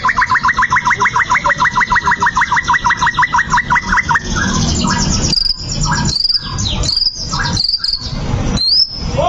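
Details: Fighting-style white-rumped shama song meant to provoke a rival: a fast, steady trill of rising notes for four seconds, followed by scattered, piercing high whistles and sharp chips against a constant noisy background.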